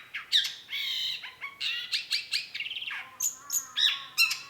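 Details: Long-tailed shrike giving a harsh, rasping and nasal medley with drawn-out buzzy notes, short chatters and a few high whistles, sounding scratchy and varied.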